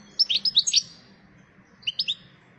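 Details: A wild European goldfinch sings while seeking a mate: a quick burst of about six bright, high twittering notes, a pause, then three more similar chirps, over a faint low hum.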